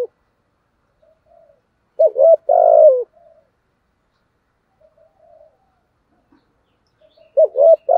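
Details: Decoy spotted dove cooing in the "giọng thổ" voice style: a phrase of a short note then two steady mid-pitched coos around two seconds, faint soft notes between, and another phrase starting near the end; otherwise quiet.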